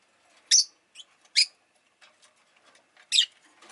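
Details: Rosy-faced lovebird producing sharp, piercing chirps with softer twittering and faint rustling between them.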